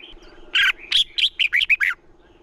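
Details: Single lively phrase from a red-whiskered bulbul, sung as a decoy to get other bulbuls singing: a burst of buzzy, rich notes followed by quick up-and-down whistled notes, over a constant low hum.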